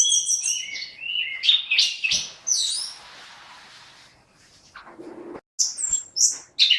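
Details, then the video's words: Orange-headed thrush singing in lively 'gacor' form: a tumbling run of clear whistled and buzzy phrases, sliding between mid and very high notes, breaking off into a quiet pause before bright high phrases resume. "Burung Anis Kembang GACOR"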